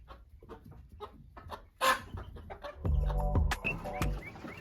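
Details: Farm-raised domestic chickens clucking: faint scattered clipped notes at first, a brief loud burst, then louder harmonic clucks over strong low rumbling noise near the end.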